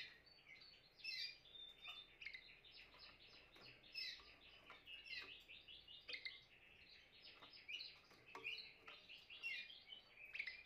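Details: Singing Timbrado canary delivering long, fast chains of high chirps and rolling trills, the phrases rising and falling in loudness, with steady low background hiss.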